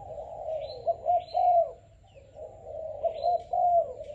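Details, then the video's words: Selected young spotted dove of the Malaysian type giving soft, hollow coos in grouped phrases with short pauses between them. High, thin chirps from other small birds break in now and then. "Cu gáy Malaysia/chim tơ tuyển chọn"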